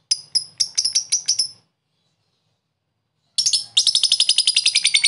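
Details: Lovebird giving long 'ngekek' chatter used as therapy to spur lazy lovebirds to sing: two bursts of rapid, sharp, high notes, the first about a second and a half, then silence, then a denser run of quick notes.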